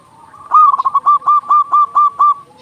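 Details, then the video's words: Local zebra dove in loud singing form, played to prompt quiet or stressed doves to sing: a fast stuttering coo flourish followed by six evenly paced, strong, ringing coo notes. "Perkutut lokal gacor suara besar Masteran burung perkutut agar cepat bunyi"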